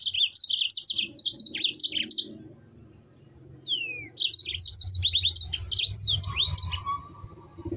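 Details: Yellow-fronted canary song meant to rouse other canaries: fast strings of high chirped notes for over two seconds, a pause, a sliding downward whistle, then more rapid rising and falling trills; soft low rumble behind.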